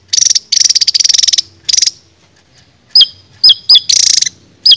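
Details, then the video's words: Raja tembak style song from a cage songbird used for training: buzzy rapid trills at first, then a pause, then sharp whistled notes that sweep up and down, mixed with another fast rattling trill. "BURUNG JADUL RAJA TEMBAK MASTERAN"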